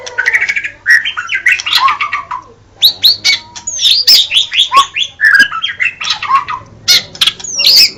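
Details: White-rumped shama song, kept bird, delivered with energy: rapid varied phrases of clear whistles, sharp chips and buzzy notes, some sweeping upward, in dense bursts with brief pauses, over a faint low hum.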